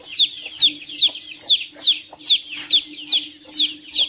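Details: Peeping of young chicks, shrill descending notes about twice per second in an even series, over a soft constant low drone.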